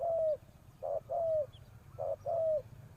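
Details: A spotted dove serving as a decoy gives soft, hollow coos to call wild doves, a brief note then a drawn-out falling note, repeated twice in quick succession over low background noise.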